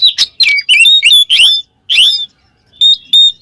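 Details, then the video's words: Oriental magpie-robin, known locally as Kacer, giving ngeplong song to call a rival: sweeping whistled slurs in quick succession, a brief silence, then two clear high whistles. "suara burung Kacer NGEPLONG memanggil lawan bikin emosi Kacer lain"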